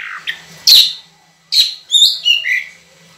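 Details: Oriental magpie-robin (kacer) in full song, original voice with long, clear phrases: a few sharp whistled notes, a pause, then bright descending whistles sliding from high to mid pitch, recorded indoors.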